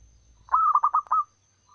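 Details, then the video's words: A wild local female zebra dove, recorded as a lure, calls to males with a single phrase of about six rapid, rolling, pulsed coos at steady mid pitch, then quiet. "suara pancingan ampuh perkutut lokal alam liar gacor panjang memanggil jantan"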